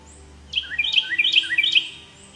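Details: Lovebird singing: a quick burst of sharp, squeaky high chirps and short rising notes, tightly packed over about a second and a half, over a faint low hum.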